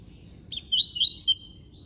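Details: Double-collared seedeater (coleiro preto) from an amateur breeding aviary giving classic-style song: a sharp high burst followed by a chain of bright, twisting whistled notes lasting under a second, over faint steady hum.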